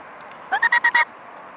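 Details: Mute swan from a swan family, recorded 15 September 2015 at 19:05. A short burst of five rapid, nasal, harmonic notes lasts about half a second over a steady background hiss.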